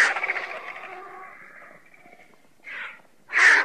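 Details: Griffon vulture giving a long fading rattling hiss, then two short harsh rasps, the last one loud.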